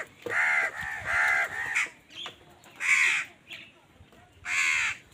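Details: Amid a fight with wild birds over food, a crow gives a rapid string of three hoarse caws, followed by two separate louder caws; faint background sounds between calls.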